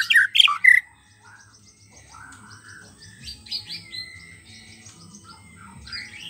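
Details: Song of a wild white-rumped shama meant to coax a silent shama into singing: a loud burst of sharp notes opens, followed by softer, varied whistles and rising slurred notes over a faint low hum.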